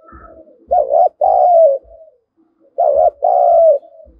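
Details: Spotted dove kept as a fighting lure, cooing in two loud pairs of a wavering note and a longer slurred, falling note, with soft low knocks.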